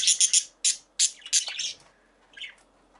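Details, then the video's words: Single female budgie giving quick, sharp, high chirps, about five in the first second and a half, then a softer trailing chatter and a faint chirp near the end. "Female Budgie/Parakeet Chirping"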